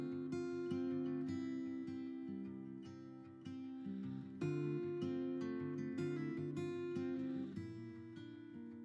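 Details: Strummed acoustic guitar music plays throughout, with steady chords and no animal sound.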